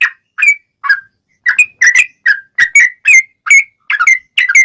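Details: Fighting song of a sooty-headed bulbul, paired whistled notes sliding up and down, delivered steadily about twice a second with clean pauses between.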